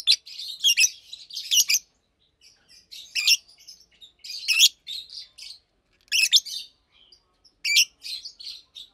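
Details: Two healthy captive Fischer's lovebirds nearly two years old chatter by day, loud high chirps recurring about every one and a half seconds amid continuous scratchy twittering.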